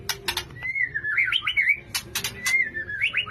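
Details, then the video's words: White-rumped shama male singing to court a female, sharp clicking ticks interleaved with looping, warbled whistles that rise and fall, pattern repeating twice within about three seconds. "Birahi Murai Batu Jantan Merayu Betina"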